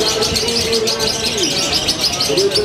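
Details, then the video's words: Lovebird from Purwakarta, Indonesia, performing its new-style song with tight pauses. Rapid, shrill chattering twitters repeat continuously, with some lower tonal whistles from other birds beneath. "LOVEBIRD SUNDARI (SYAM BUCEK) : Gaya Baru Nyentrik, Jeda Makin Fantastik"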